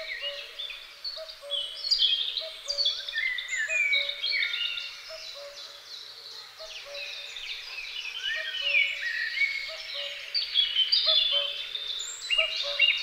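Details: A pair of great spotted woodpeckers caring for their young. Continuous high, scratchy chatter rises and falls in loudness, while a low two-note hoot from another bird repeats steadily beneath it.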